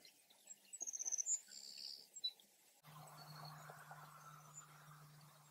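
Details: Savannah sparrow in a field nesting area, replying to another sparrow: a quick run of high ticking notes, a soft high buzz, then the song breaks off into low steady hum and rustling noise.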